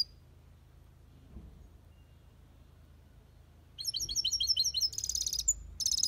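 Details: Aviary European goldfinch singing in the Malaga copy style: after a quiet start, a dense, fast burst of high tinkling twitters and trills, ending in a short buzzy flourish.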